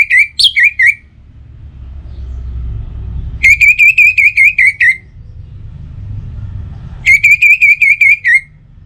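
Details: Orange-headed thrush song used as a morning and evening lure to get other birds singing: loud bursts of rapid, clear whistled notes at one steady pitch, each burst about a second long, repeated with pauses, over low rumbling background noise.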